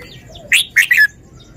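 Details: Caged red-whiskered bulbul from Thailand showing its song phrasing: one short, bright three-note phrase with a rising first note and two quick slurred notes after it, all fairly high-pitched.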